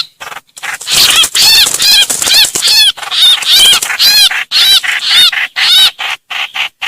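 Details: Trao trảo bird crying for help and calling its flock: a dense, urgent series of loud, harsh, arched screeches, roughly two each second, tapering into shorter notes near the end.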